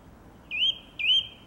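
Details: A song thrush singing in a garden in April 2021 gives the same clear whistled phrase twice, each one slurring upward and then leveling off, with a short pause between the two.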